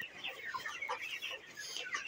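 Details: A crowded shed of 29-day-old broiler chickens: constant high peeping and clucking from many birds blending into a dense, hissy chorus.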